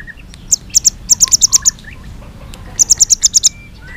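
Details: White-rumped shama in fighting song mode, tail-flicking: two short bursts of very high, sharp repeated chips, about seven notes each, separated by a pause, over faint background hiss.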